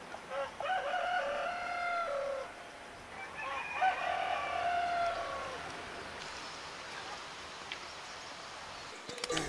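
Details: Morning crowing of a rooster at the start of a Camino stage between Astorga and Santiago de Compostela, Spain. Two long crows, each a few strained, wavering syllables falling at the end, are followed by quieter background noise.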